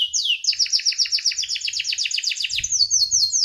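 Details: Pet canary delivering a rolling song: a fast, even trill of sharp down-slurred notes repeated several times per second, shifting into a slightly different high trilled phrase near the end, with a faint low thump in the background.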